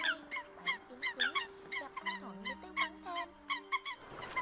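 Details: Eurasian coot flock calls for night net trapping during autumn migration: a quieter run of many short honking notes, irregularly spaced and overlapping, ending with noisy rustling.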